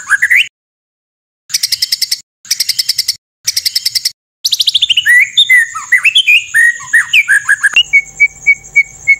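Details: Murai batu, the white-rumped shama, in a harsh 'tembakan' training song: three short rattling bursts separated by pauses, then a fast run of varied whistled slurs and twitters, ending in evenly spaced high piping notes.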